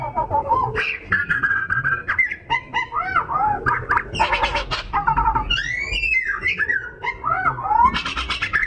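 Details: Continuously singing Oriental magpie-robin, a lure to stir other birds to sing; rich varied phrases of whistles, upward and downward sweeps, rattling bursts and high swooping notes, delivered rapidly over about nine seconds.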